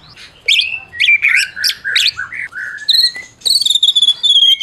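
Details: White-rumped shama of the Medan type, a champion caged singer, song meant to provoke silent shamas: buzzy chattering notes sliding into smooth descending whistles, ending with high thin sustained whistles.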